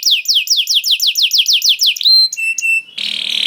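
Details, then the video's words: Canary singing as bait to get other canaries singing: a rapid series of about twelve downward-slurred notes, then short high whistled notes, ending in a buzzy rasping burst. "Makes Emotions When Hears the Sound of a Canary One, The Most Powerful Bait || Voice of Canary"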